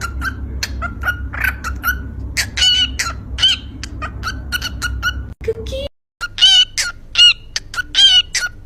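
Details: A yellow pet lovebird sings its cheerful 'kuki kuki' song: sharp, high chirps and short ringing notes in quick irregular bursts, with a brief break partway. People laugh in the background over a low hum.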